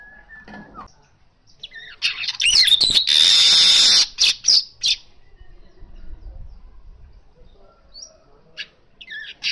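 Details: Asian golden weaver singing vigorously, natural recording used to prompt Oriental magpie-robins (kacer) to sing: a few faint thin notes, then a loud buzzy, sizzling burst lasting about two seconds, followed by short sharp chips.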